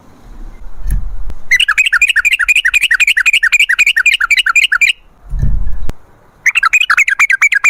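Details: Lure recording of an energetic sooty-headed bulbul in long 'ropel' rolls: two runs of rapid, chattering, bubbly notes about four per second, broken by a low thud and rustle.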